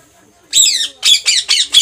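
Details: Pet Indian ringneck parakeets indoors: one long harsh descending squawk followed by four short grating squawks in quick succession.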